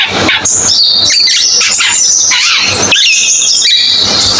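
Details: Cucak keling singing: high, bright whistles and chattering squeaks packed closely together, with an abrupt rising slur midway.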